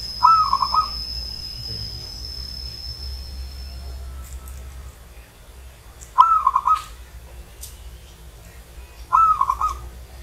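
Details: Three cooing phrases from an old zebra dove, spaced about three seconds apart, each a rising whistle followed by rapid rolling pulses, with scattered clicks and a high whine in the background.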